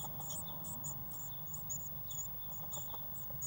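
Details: Nestling Eurasian blue tits inside a nest box, 1 June 2016, make rapid, high-pitched squeaks in short clustered runs above a constant low electrical-sounding drone.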